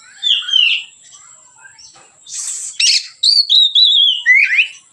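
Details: Relaxed white-rumped shama song serving as a training lure for other birds: a falling whistle, quiet gap, harsh noisy burst, then quick bright whistled notes and downslurred phrases; constant thin high tone in background.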